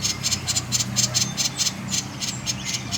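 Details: Short burst of common iora konslet song, used to coax other birds to sing: quick repeated high buzzy clicks, roughly two per second, with a low background hum.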